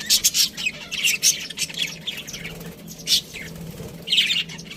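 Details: Parakeet, a budgerigar, giving separated bursts of bright, buzzy chirps and twittering, roughly one burst per second with short quiet gaps, plus a faint low droning hum.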